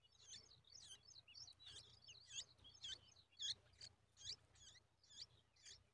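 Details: Bulbul chicks stretching toward their mother as she feeds them a spider, giving high, squeaky, chattering begging notes in repeated bursts about twice a second, faint over a low background hum.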